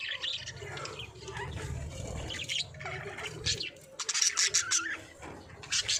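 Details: Budgies chattering with rapid high chirps and brief squeaky notes, quieter at first, then sharper clustered chirps after a pause, over a low background rumble.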